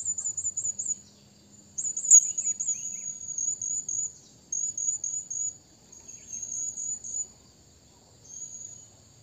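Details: A Blue-crowned hanging parrot calls to a rival with quieter, thin high notes, first in quick trills and then in drawn-out squeaky strings separated by pauses.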